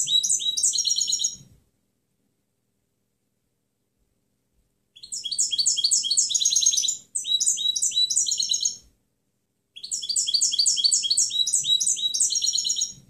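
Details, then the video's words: A European goldfinch delivers clean song, known as canto limpio, in a training recording for other birds: three or four bursts of quick, bright, metallic twittering, each one to two seconds long, separated by silent pauses. "Canto del Jilguero Limpio Chant chardonneret"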